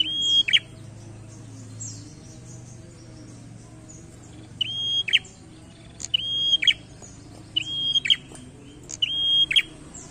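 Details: Prinia in full, vigorous challenging song: after a pause, five high phrases come in quick succession, each a brief, level whistle bracketed by sharp clicks and a harsh, chattering burst, with a faint low hum beneath.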